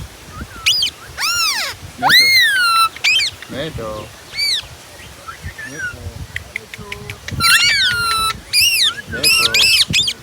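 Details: Ringneck parrot repeatedly screeching, with loud harsh arched shrieks and chattering squawks following one another rapidly across the recording.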